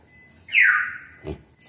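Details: A pet black-capped lory (Lorius lory), taught to talk and answering its owner's questions, gives one harsh, half-second downward-sliding screech, followed by a short thud, over a faint steady high hum.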